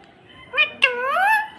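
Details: A pet green parrot, a talking bird, answering its owner with a short harmonic, voice-like utterance: a brief squeak, then a longer nasal sliding phrase, in a quiet indoor room.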